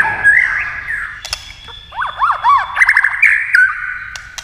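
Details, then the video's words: Captive white-rumped shama stirred to sing in competition with a television, flicking its tail; rich whistled song with looping arched notes repeated in quick succession, scattered sharp ticks and a faint low hum. "kích chòe lửa hót đấu với tivi cực căng lửa"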